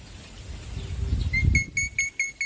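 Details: Male black-winged myna singing loudly: a series of clear, short whistled notes repeated about every quarter second in the second half, over low rumbling background noise.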